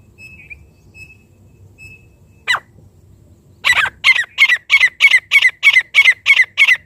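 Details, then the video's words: Francolin call for luring partridges: faint thin whistles and a sharp sweeping squeak, then a steady series of about eleven harsh, rasping notes repeated roughly three times a second, loud and regular to the end. "चंद मिनट में तीतर बुलाने का साउंड 🎶Sound of calling partridge in few minutes | francolin calling"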